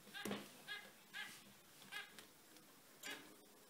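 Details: Active zebra finches giving nasal, buzzy beeps, about one every half second, spaced evenly through the clip.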